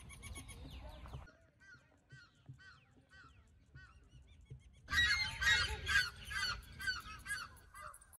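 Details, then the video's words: Two red-naped ibises (Indian black ibis) perched atop a dead tree in Lodi Gardens, Delhi, squawking: loud, nasal, honking calls, first spaced singles, then a harsh burst of overlapping cries; recorded on phones. "Red-naped ibis (aka Indian black ibis) call"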